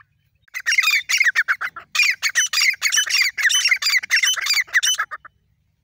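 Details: Safed teetar, the grey francolin, calling in Ranthambore National Park: a dense, loud chatter of overlapping harsh notes runs for about five seconds, rapid and uneven, with almost no gaps between calls.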